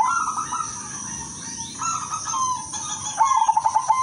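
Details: Song of a silver zebra dove, offered for prompting and therapy. Several soft cooing phrases lead into a final run of rapid, bubbling staccato notes, with a steady high whine behind.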